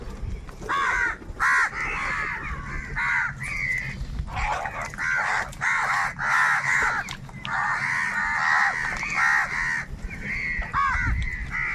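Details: Huge numbers of crows crowing and crying while fighting over food: dense, overlapping harsh caws in near-continuous bursts over a low steady hum.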